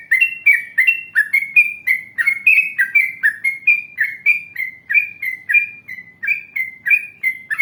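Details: Yellow-vented bulbul in full, lively song, used as a lure to prompt other bulbuls to answer: clear whistled two-note phrases repeated steadily about twice a second, each a bright rising-falling slur, with no background noise.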